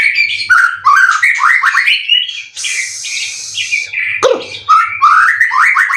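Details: Caged white-rumped shama, a competition-ready bird with twelve contest wins, singing a varied rich song of rising whistled phrases and rapid chattering notes, with a harsh buzzy burst midway.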